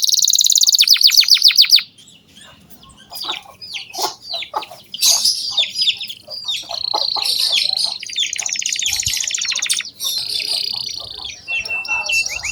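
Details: Heavily singing canary used to tutor young canaries: a high fast trill, a pause with clicks and scattered notes, then resumed buzzy rolls and chirpy phrases of varied pitch.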